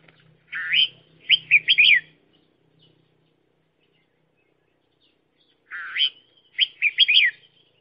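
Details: Red-whiskered bulbul used as a decoy bird for trapping, giving two bright phrases: a rising slurred note then quick warbled, bubbly notes, repeated after a pause of about four seconds; faint low hum under the first phrase.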